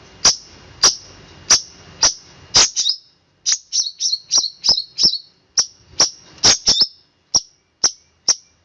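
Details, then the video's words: Rapid "roll speed rapat" song of a long-tailed shrike, a dense string of piercing high chirps, at times two or three in quick succession, with a brief pause near the middle. "cendet roll speed rapat om kicau"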